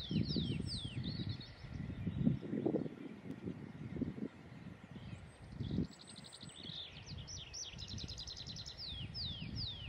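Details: Great tit (Parus major) in Estonia giving thin, high descending notes, then a rapid ticking chatter midway, over heavy low wind rumble.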